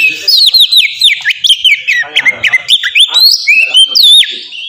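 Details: Oriental magpie-robin singing continuously to encourage pet birds to sing: a fast, varied string of whistled slurs, rising and falling notes and chattering elements, loud throughout.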